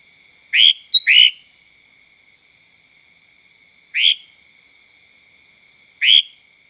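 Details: Sooty-headed bulbul (kutilang) giving a full call, suited to luring other birds: short, bright, slurred notes, a quick pair then single notes about two seconds apart, over a faint steady high-pitched tone.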